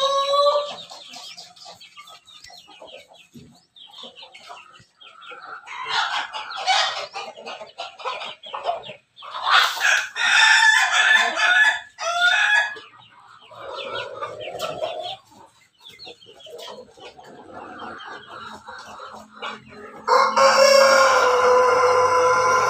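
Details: A Pelung × Bangkok cross rooster, basking in the morning sun, gives long, rich, wavering crows with softer clucks between them.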